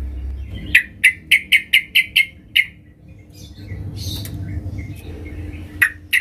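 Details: Female sooty-headed bulbul calling the male: a quick run of eight sharp, bright chirps at an even pace, then a pause with scattered softer notes and two final chirps, over a faint steady hum.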